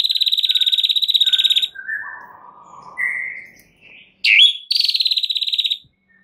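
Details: White-rumped shama lure song, full isian style, meant to set other birds singing: long rapid buzzy trill, then lower slurred whistles and a warbled phrase, followed by a sharp swooping note and another fast trill.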